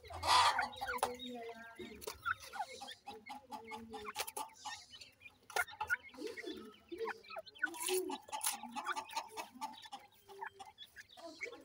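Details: Grey francolin (teetar) chicks while feeding, giving many short high peeping chirps that slide downward, mixed with soft clicks and taps and low clucking notes throughout.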